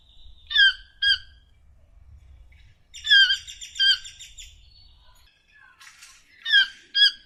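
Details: Harsh, nasal squawks from a toucan, paired notes opening and closing the passage, a denser grating burst in the middle, and a low background rumble during the first five seconds.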